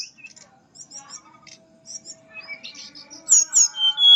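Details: Mangrove blue flycatcher giving a melodious fluting song, known locally as nyuling. Short, scattered high chirps and whistles build into louder, rising and falling whistled phrases near the end, over faint steady background tones.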